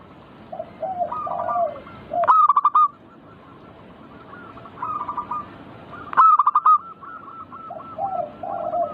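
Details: Zebra dove (perkutut) song, manggung style, meant to provoke singing; lower rolling coos lead into loud rapid strings of staccato notes twice, about four seconds apart, with softer echoing phrases throughout.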